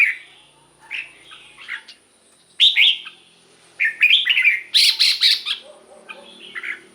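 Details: Caged-bird excitement recording of red-whiskered bulbul: soft scattered whistles give way to loud slurred phrases and a burst of rasping chirps, with quiet lower chatter between.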